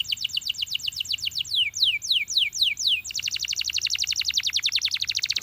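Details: Champion canary song built from a long series of quick falling whistles, slowing into broader downslurred notes, then switching to a very fast continuous rolling trill.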